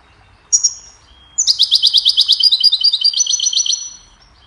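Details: Goldfinch hybrid singing to teach songbirds: a lone thin whistled note, a pause, then a long, fast trill of high, sparkling twitters lasting about two and a half seconds.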